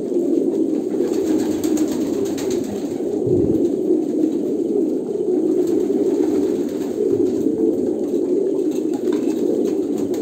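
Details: Many pigeons from Kolkata coo continuously, a dense, low, throaty rumble with no pauses. A brief deep thud is heard near the middle.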